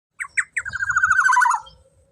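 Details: Black-naped oriole, presented as a loud tutor recording for training songbirds: three short rising nasal notes, then a long buzzy, rasping, slightly wavering note that drops at the end. The setting is quiet.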